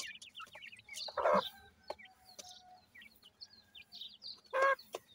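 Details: Feeding grey francolin chicks give sparse high curved peeps. Two loud harsh bursts stand out, the first early and the second near the end, with faint clicks between.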